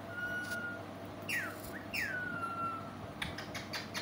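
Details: Pet parrot, said to be talking in a sweet voice, giving a steady whistled note followed by two clear downward-sweeping whistles, with faint clicks and a low indoor hum.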